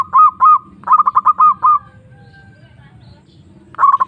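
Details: Zebra dove calling a rival: two loud coos, then a rapid stutter and a string of ringing coos, a long quiet gap, and one more stuttering phrase at the end.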